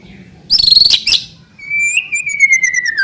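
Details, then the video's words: White-rumped shama lure song: a quick very high ringing trill, then a long thin whistle sliding slowly downward, laced with rapid high ticking notes. "PANCINGAN MURAI BATU TROTOL AGAR CEPAT BUNYI GACOR BONGKAR MATERI"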